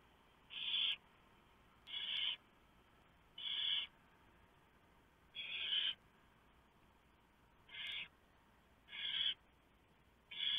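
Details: Barn owl nest at 3:59 AM on 3 November 2015: the male delivers a huge mouse and the female shreds it for the owlets. Seven harsh, noisy hissing bursts, each under half a second, come at uneven intervals over a quiet background.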